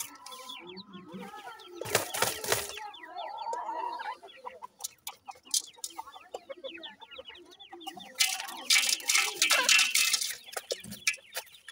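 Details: Grey francolin family with the mother feeding her chicks; rapid thin high peeps in quick overlapping series, broken by loud broad rustling or scratching bursts near the start and again toward the end.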